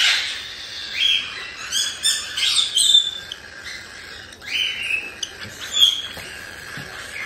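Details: Cockatiel chicks about one month old, from a breeder in Tokachi, Hokkaido, give the harsh 'jaa jaa' begging cries of the chick stage: rasping, high, broadband bursts in irregular clusters of roughly a second each, separated by brief quiet gaps.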